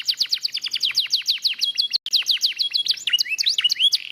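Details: Singing lemon yellow canary: quick repeated falling chirp notes giving way to twisting whistled phrases and rising slurs, bright and high, with a brief dropout near the middle and a faint low hum.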